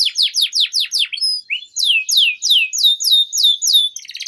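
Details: Young canaries' lure song from a vigorous canary: series of quick descending whistled sweeps, a short pause with brief high notes, then another even run of falling sweeps.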